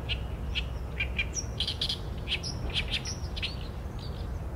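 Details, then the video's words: Oriental reed warbler (Acrocephalus orientalis) song: a fast sequence of harsh, croaking and chattering notes, some thin whistled upslurs mixed in, repeated in uneven bursts over a low constant rumble. "개개비 - Acrocephalus orientalis - 大苇莺 - bird song"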